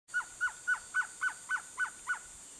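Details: A male Blue-crowned Trogon sings a steady series of eight short, mellow hooting notes, about three per second, over a faint high insect hiss.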